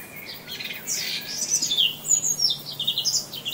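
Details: Birds in a park: quick, high chirps and short whistled notes, irregular and overlapping, over a quiet, faint background.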